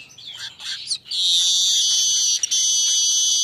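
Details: Asian golden weaver at midday, a tutor song for other birds: quick squeaky chattering notes run into a long, unbroken buzzy sizzle that holds steady to the end.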